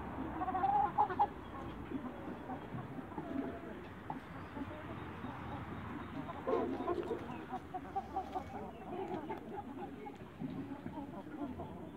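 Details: Young Light Brahma chickens in a backyard give a string of short clucks, loudest near the start, over a steady murmur of background noise.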